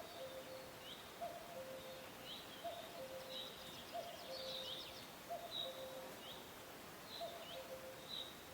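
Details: A cuckoo in forest ambience gives soft, low two-note 'cu-coo' calls, falling slightly, about every second and a half, while thin, high chirps from other birds sound above it.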